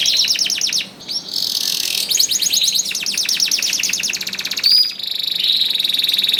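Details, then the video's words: Canary singing hard to spur quiet canaries into song. Fast, dense trilled phrases follow one another with short breaks, punctuated by a sharp high note before another rolling trill. "KENARI GACOR DOR INI MEMANCING KENARI YANG SUSAH BUNYI JADI IKUT GACOR"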